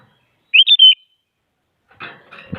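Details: Sooty-headed bulbul calling to push other bulbuls into song: a bright three-note whistled phrase, quick and liquid, followed after a pause by rough, noisy chattering bursts.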